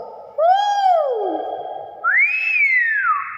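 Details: Nias hill myna giving two loud, clear whistles: the first rises gently and then slides down over about a second, and after a pause the second rises, holds and falls away. A steady hum sits beneath.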